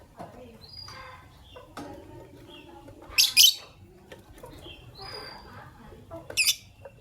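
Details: Pastel green and white albino Fischer's lovebirds chirping in the morning: busy soft chatter and ticks, a burst of harsh shrill squeaks around the third second and another near the end.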